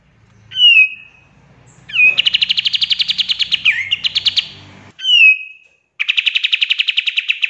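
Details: Pied triller song for tutoring other songbirds: a clear falling whistle, then a long fast trill of evenly repeated notes, another falling whistle and a second rapid trill, with little background noise.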